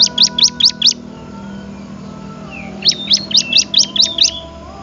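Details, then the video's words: Bar-winged prinia song meant for tutoring cage birds: two bursts of rapid, high, sharply rising chirps, five then seven notes, separated by a pause filled with low steady hum. "suara Merdu burung Ciblek cocok banget buat masteran"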